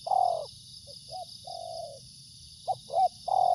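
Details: Spotted dove giving soft low coos, a drawn-out note followed by brief clipped notes and another long coo, against constant background hiss.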